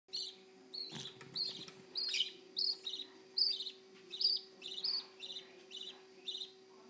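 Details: Budgerigar chicks aged 9 and 11 days in a nest box give short, high, raspy chirps about twice a second over a steady hum.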